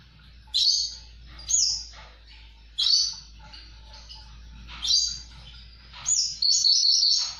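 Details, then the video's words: Javan bush lark in gacor song: five or six separate high, harsh, rasping phrases spaced about a second apart, with a faint low hum beneath. "Burung branjangan gacor"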